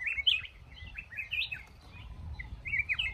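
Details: Male red-whiskered bulbul singing in a cashew garden during trapping: lively, slurred whistled phrases that swoop up and down, repeated several times, over steady low background rumble.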